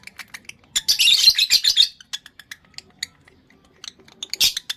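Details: Male lovebird in breeding condition giving rapid dry chirps, with a dense buzzy chattering burst in the first two seconds, scattered clicks afterward and another harsh burst near the end.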